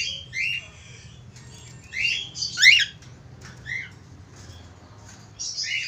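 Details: Budgerigar calling to a female: scattered chattering chirps, some squawky bursts with sharp up-and-down sweeps around 2.5 seconds, separated by quiet gaps, with a low steady hum underneath.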